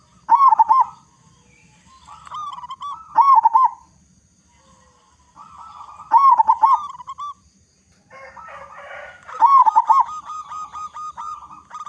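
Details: Local Indonesian zebra dove with a big, loud voice, singing as a lure to get other zebra doves cooing quickly. Four rolling, wavering cooing phrases, each a cluster of quick warbled notes, spaced by short pauses.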